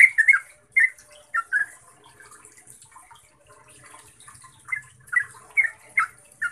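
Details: Yellow-vented bulbul, used as a lure to train caged bulbuls, gives short bubbly notes around two kilohertz in bursts, with quiet gaps between phrases; faint hiss high above.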